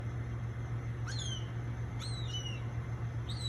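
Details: Gray hawk eating its catch, interrupted by a squirrel: three short, clear whistled notes sliding downward, spaced about a second apart, over a steady low mechanical hum.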